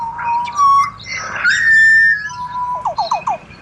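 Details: Pied butcherbird in Australia sings clear piping whistles, with steady held tones and a long level note, ending in a quick run of four short downward-slurred notes.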